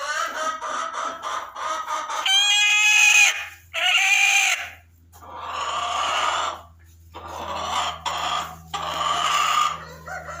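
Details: Barred Rock hen in a nesting box while laying, giving loud harsh drawn-out squawks and rhythmic clucking phrases, with bursts of strained cackling separated by short pauses and a low background hum.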